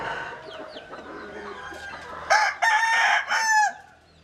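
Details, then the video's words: Rooster crowing: faint distant crows and chirps at first, then a loud, close crow in three segments lasting about a second and a half. "Tập Hợp Những Tiếng Gà Gáy Rất Hay"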